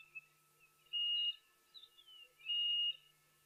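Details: Chinspot batis, more than one calling, at a waterhole during a live broadcast on 31 October 2023: two steady, high, pure whistled notes about one and a half seconds apart, with softer sliding notes between them.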